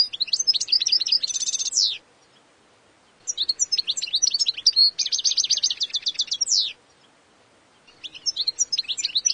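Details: European goldfinch delivering lively twittering phrases broken by harsh, buzzy rattling stretches, followed by pauses of about a second before the next phrase starts.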